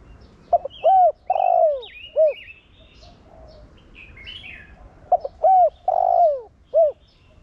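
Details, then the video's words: Decoy spotted dove cooing in Thổ Đồng voice to get other doves cooing: two full low phrases of clipped notes and long falling coos, with small chirping calls of other birds between them. "Cu gáy Giọng Thổ Đồng Gáy Gọi kích bổi nhanh gáy/cu gáy mồi kích bổi mau nổi"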